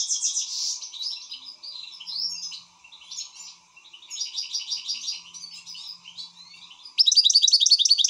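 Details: Excited European goldfinch singing a rapid, varied song of twittering trills, buzzy notes and sweeping whistled slurs, ending in a loud fast trill; faint low hum underneath.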